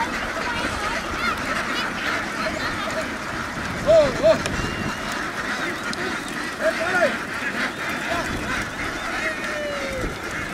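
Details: Vietnamese laying ducks herded from a field onto a boat, a large flock quacking in a constant raspy chatter, with a few clear wavering whistled notes rising above the noise near the middle and end.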